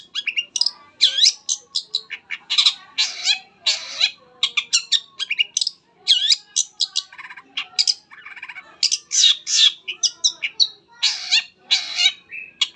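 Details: Long-tailed shrike in full song, a recording used to prompt other shrikes to sing: long, busy outpouring of harsh rasps, looping whistles and quick chatter repeated in loud bursts with only brief gaps.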